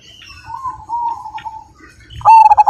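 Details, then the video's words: Majapahit zebra dove with a big voice and 'super kung'. Soft, murmured coos build to one loud, fast burst of clipped cooing notes at the end. "Perkutut Majapahit Gacor Dan Ganteng, Suara Besar,Super Kung"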